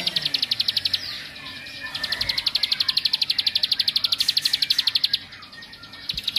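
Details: Bar-winged prinia singing a rapid ngebren-style trill meant to rile other prinias: high metallic ticks strung into long, even rattling runs, briefly broken off and then resumed.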